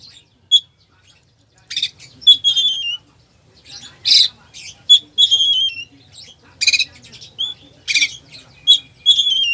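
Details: Oriental magpie-robin with 'full isian' mimicry song played to provoke a slow bird: harsh high squawks, then long clear whistles sliding downward, repeated in loose phrases.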